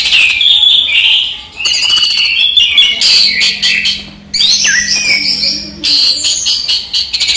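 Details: Captive orange-headed thrush singing during the day: bursts of harsh, squawky, high notes in rapid rushes, separated by short pauses, with a low steady hum in the background midway.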